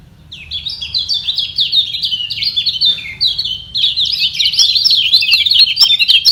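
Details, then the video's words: Lemon-bellied white-eye battling rivals by voice to keep its position at the top. Nearly continuous, bright, high warbling of quick sliding notes, briefly dipping near three seconds, then rising to a dense, louder chatter. "Demi Mempertahankan Posisi Kecial Kuning Ini Perang Suara Di Bawah"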